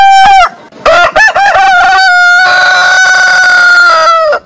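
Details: Domestic roosters in a compilation of long crows from heritage breeds. A short crow is cut off, then choppy crowing fragments lead into one loud, steady, drawn-out crow held for about two seconds before it drops away.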